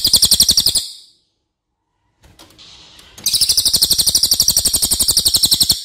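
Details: Racket-tailed treepie, locally cililin, giving its long loud training song: a rapid high note series fading out, a gap with soft clicks and a brief hiss, then another fast metallic run of about three seconds.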